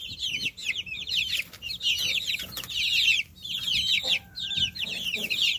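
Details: A group of baby chicks chirping: dense, high, rapid peeping notes overlapping from many birds, in bursts separated by short gaps, with a low rumbling background.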